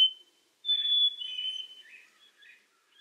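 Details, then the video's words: Black-capped chickadee giving a pure whistled high note dropping to a lower one, followed by soft, faint chattering notes and a few brief quiet whistles. "Black Capped Chickadee Bird Sound, Bird Song"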